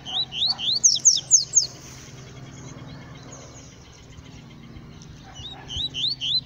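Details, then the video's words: Bahia yellow-bellied seedeater in the bush, Brazil, singing a burst of bright, rising whistled notes, six in fast series, then a pause of about three seconds and a few more rising whistles, with low background hum. "COLEIRO BAIANO NO MATO"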